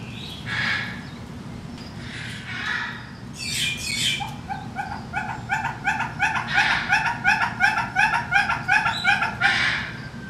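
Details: Male red-billed hornbill in the Bird House at Saint Louis Zoo, calling in captivity. A long series of short clucking notes, about three per second, steadily growing louder. Harsh squawks from neighbouring zoo birds come first.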